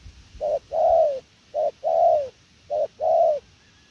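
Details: Spotted dove cooing in "gù lèo nước" style, three evenly spaced pairs of a short low note and a long warm descending coo, delivered about once every 1.2 seconds, clear and loud.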